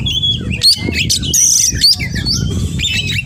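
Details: Oriental magpie-robin in 'gacor' song: clear drawn-out high whistles alternating with quick rising flicks and chirps, plus a couple of sharp upswept notes, over a low rumbling hum.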